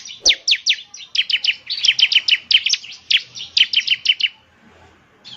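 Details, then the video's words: Bar-winged prinia song, used as a lure recording to prompt a caged bird to sing. Rapid series of sharp, high chirps with downward sweeps, about twenty notes in quick runs, then a short pause. "Pancingan Ciblek Semi Gacor Agar Bunyi..!"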